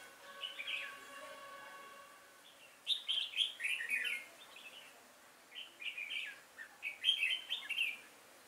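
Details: Decoy red-whiskered bulbul at a trap on 5 October 2018, calling wild birds in; a steady tonal hum opens, then clusters of sharp warbled chirps come in bursts across the clip.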